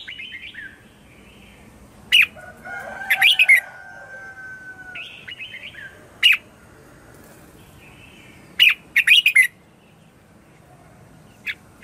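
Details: Red-whiskered bulbul morning song used as a lure to call wild birds: loud bursts of sharp chirping notes around two to four seconds apart, with softer warbled phrases and faint other birdsong in between.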